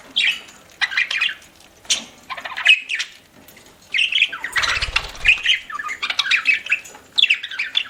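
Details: Pet budgerigar (parakeet) chirping while eating: dense bursts of bright, warbling, scratchy chirps that come almost continuously, with short pauses and a brief low thump near the middle.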